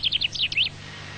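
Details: A short burst of common chaffinch song from a study of chaffinch song learning near Cambridge: six quick, high, chirpy notes tumbling slightly downward, finished in under a second, over a faint low hum.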